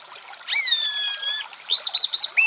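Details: Chalk-browed mockingbird song from Brazil: a long whistled note held level with bright overtones, then a quick series of three short loud arched chirps and a lower final note.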